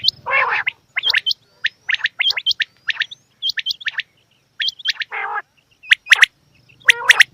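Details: Female quail: a rasping buzz, then a run of short hooked whistles and sharp chirps, another harsh buzz, and closing cracking double chirps.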